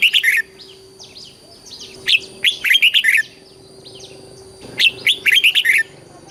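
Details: Southern master-style song of a red-whiskered bulbul, Thailand, used to excite cage birds and train chicks: three lively phrases of rapid chirping, warbling notes separated by pauses, over a constant electrical hum.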